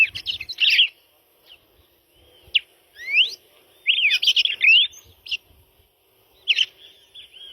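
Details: {'caption': 'Red-crested cardinal singing scattered phrases of sharp chirps and upslurred whistles, with a louder twittering burst in the middle and brief pauses between.'}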